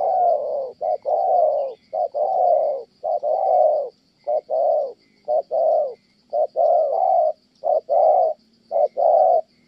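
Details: Spotted dove from Kon Tum, Vietnam, a trapping bird praised for its tone, delivering a long series of hollow coos in short-long pairs, the sequence continuing unbroken for about ten seconds.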